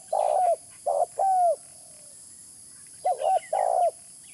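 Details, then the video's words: Spotted dove, a call used for luring: two phrases, each a rough rolling coo then a smooth drawn-out coo falling at the end, separated by a pause, with thin high bird chirps faintly behind. "Suara pikat terkukur original"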